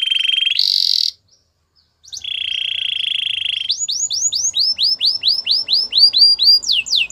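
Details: Singing canary for song training: a rolled trill and short shrill burst, a brief pause, a long even roll, then a chain of arched whistled notes about three per second.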